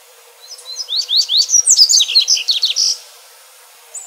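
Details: Double-collared seedeater singing outdoors, song offered for training young birds and stimulating song: about two and a half seconds of rapid rising whistles, sharp chirps and a closing buzzy trill, then calm.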